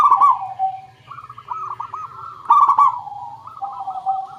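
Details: Zebra dove cooing, meant as a lure for other doves: a loud trilled burst, a pause, then a rising chain of rounded coos leading into a second burst and a quieter wavering run.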